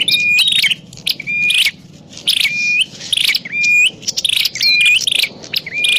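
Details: Prinia used as a lure for trapping: short, high chirp bursts, each ending in a flat, thin whistle about once a second, separated by brief quiet gaps.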